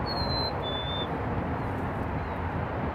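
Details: Whistled two-note song of a black-capped chickadee, recorded in Burlington, Canada, in late March 2018. A pure higher note is followed by a slightly lower, longer one, set against steady road noise.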